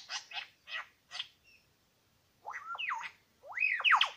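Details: Superb Lyrebird song, one of two males in New England National Park at Lookout Point: four harsh, broad rasping notes, a pause, then looping whistled notes that bend up and down, rising in loudness.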